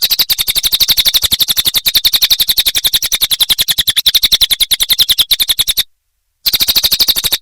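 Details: Cililin song meant for training other songbirds: a rapid, unbroken rattle of high, clicky chirps, roughly ten per second, holding one even pace before a short silent break and a brief resumption.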